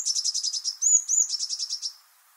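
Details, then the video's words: Eurasian blue tit (Cyanistes caeruleus) song: a very high, fast trill, two thin drawn-out whistles, then another quick trill, all within two seconds. "Vogelstimmen: Die Blaumeise - Blue tit - Cyanistes caeruleus"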